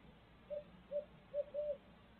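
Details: Four round, even-pitched hoots from a barred owl in Midtown Tulsa, the first three short and evenly spaced, the final note stretched longer, over a quiet low-frequency hum.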